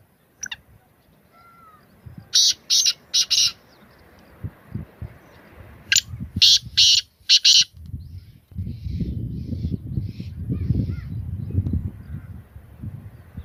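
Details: Black francolin (kala teetar) calling in two harsh, grating phrases of three to four loud buzzy notes each, spaced about four seconds apart, followed by a rumbling low background noise.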